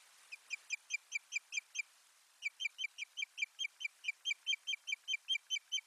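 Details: Osprey at its nest in Finland on 1 May 2020, filmed by a live nest camera while bringing soft lining material. It gives a fast series of short, sharp whistled chirps, about three a second, with a brief pause, over a steady hiss.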